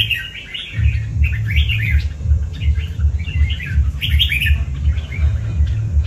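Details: Red-whiskered bulbul kept by a hobbyist delivers bursts of bright, warbling notes in separate phrases, while a deep rhythmic thud pulses continuously underneath.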